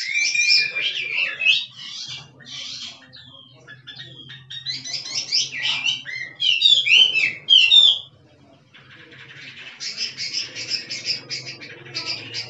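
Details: Wild Chinese hwamei singing in the drum-beating style (kích trống): loud, rich whistled and warbled phrases with rapid sweeping notes, broken by short pauses, then a quieter chattering run after eight seconds over a faint low hum.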